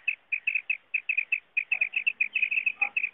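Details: Common quail sound for hunting, a clear run of sharp clipped notes grouped in pairs and triplets, about a hundred a minute, with a faint lower squeak near the end.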